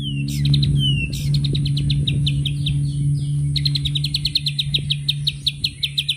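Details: White-rumped shama, locally murai batu, in 'tembakan' song: fast, evenly repeated high chipping notes, a few swooping whistles among them, over a loud constant low hum.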